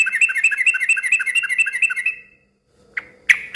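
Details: Yellow-vented bulbul in lively, noisy song that draws other bulbuls to answer: a fast, bubbly run of chattering notes lasting about two seconds, then a short silence and a few sharp clicking knocks.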